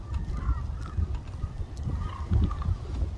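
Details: A large flock of hooded cranes (Grus monacha) filling a rice paddy at Suncheon Bay gives distant, overlapping nasal honking calls in loose bursts, over a steady low rumble of wind.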